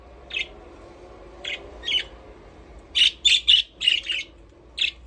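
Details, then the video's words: Pet budgerigars playing inside their aviary: scattered single chirps, then a rapid run of loud scratchy chirps packed together, followed by a final isolated note. "Budgies parrot chirping sound"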